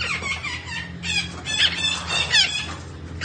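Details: Continuous busy chatter from a green parrot said to be talking, with squeaky rising and falling syllables running together, over a faint low hum.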